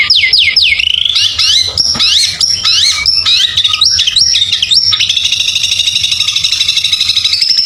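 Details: White-rumped shama song used to provoke neighbours' birds: loud, fast varied phrases of whistled downslurs, sweeping trills and rapid sharp notes, dense and continuous, ending in a steady buzzy chatter.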